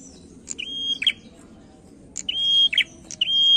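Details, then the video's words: Lure song of a male prinia: three quick phrases, each a sharp click followed by a sustained high flat whistle ending in a buzzy flourish, over steady low background noise. "PRENJAK JANTAN MULUS GACOR PANCINGAN"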